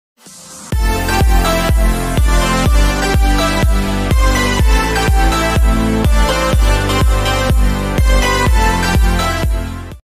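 Electronic dance music with a steady thumping beat and layered synth tones, with no animal sounds.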